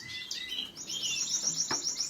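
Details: A canary starts with a few clear whistled notes, then breaks into a rapid, even trill of repeated high syllables.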